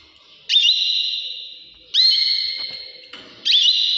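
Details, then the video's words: Canary singing in the early morning, as loud clear whistled tones that start with a quick upward flick and hold steady for over a second, three phrases in all. "عصافير تغريد كناري مااجمل صوت طيور في صباح الباكر"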